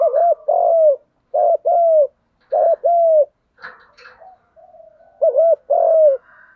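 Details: 'Thúc gù' cooing of a spotted dove for training decoy birds: repeated two-part low coos, short note then longer falling one, with a soft scrape and a quiet sustained tone midway before two final coos.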